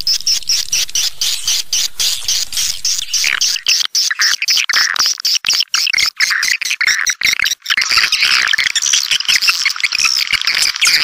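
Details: Swiftlet attraction call: dense shrill chirping and twittering, briefly thinning into clicky chatter midway, then swelling again into a continuous high chorus of overlapping calls.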